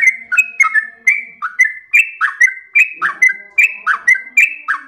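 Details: Yellow-vented bulbul in full, lively nonstop song with long rapid phrasing: clear whistled notes slurring between high and mid pitch, delivered in an unbroken chain of roughly seventy notes a minute. Nothing else is audible.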